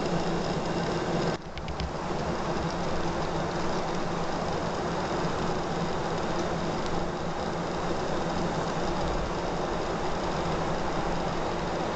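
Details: Steady low rumble of a passing train or vehicle, with a brief clunk near the start and no animal calls.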